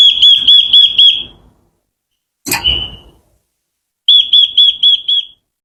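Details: Japanese white-eye lure song, played to provoke birds and train their voices: a fast run of ringing high whistled notes, a single short harsh burst after a pause, then another quick run of whistles.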